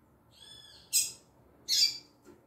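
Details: Female double-collared seedeater of the tui tui zel zel style: a faint thin whistled tone, followed by two loud harsh buzzy high notes.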